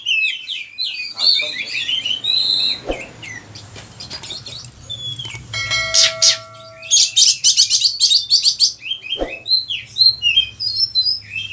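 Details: Oriental magpie-robin song used to prompt and train other birds: varied whistles and chirps mixed with ringing tones, sharp clicks and a steady low hum, then a burst of rapid high buzzy notes.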